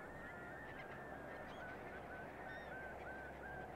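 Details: Bar-tailed godwits at Lytton Claypan, Brisbane, Queensland, on 1 April 2023, recorded with a Canon R7: short slurred whistled notes, some rising, others dipping, come in quick succession over a steady broadband hiss.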